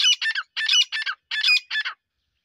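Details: Grey francolin giving loud, harsh, squawking notes in quick pairs and triplets, three bursts within two seconds, then silence.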